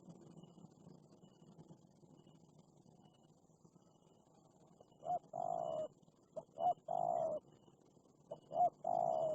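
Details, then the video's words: Fierce wild spotted dove answering a caged decoy dove during luring: after several quiet seconds, three loud, low cooing phrases, each a short rising note followed by a longer rolling coo, with faint background hum. "Tekukur Liar Galak Banget"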